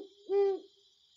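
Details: A Great Horned Owl calling in the forest, where pairs call to one another: a single deep, soft hoot, steady in pitch and under half a second long, against a faint steady hiss.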